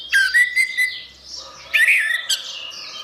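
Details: Orange-headed thrush song, used as therapy for a bird that has stopped singing: loud clear whistled phrases with a long level note, a pause, then a burst of rich twittering notes over a soft chirping background.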